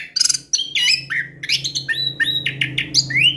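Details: An orange-headed thrush sings loudly and without a break, a lure for quiet birds: dense, varied whistled notes and upslurred phrases over a steady low electrical hum.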